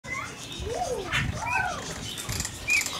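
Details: Superb starling in an aviary at Heemskerk, Netherlands, singing a rambling run of arched, slurred whistles rising and falling, with a few higher squeaky notes over a faint background rumble.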